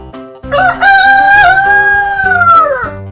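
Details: A rooster (Gallus gallus domesticus) gives a loud, drawn-out crow that rises, holds, then falls away, over soft background music.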